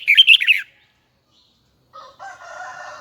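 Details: High, double-twisted voice of a Huế red-whiskered bulbul: one fast, jumbled phrase of bright whistled notes, then silence, followed by a steady, lower harmonic tonal sound.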